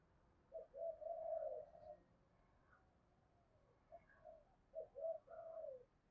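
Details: Decoy spotted dove calling to draw in wild doves. Faint, somewhat distant coo phrases: a long mellow coo, then more broken coos with a final drawn note, over a low background hiss.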